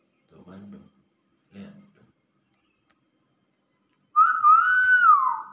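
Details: Nias hill myna, a captive bird described as old, giving one loud pure whistle that rises then falls and slides down at the end, after two faint low murmurs of human speech.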